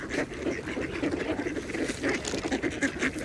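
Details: A short stretch of mallards feeding on a pond: quick nasal quacks and clucking chatter in uneven bursts, with gentle water ambience.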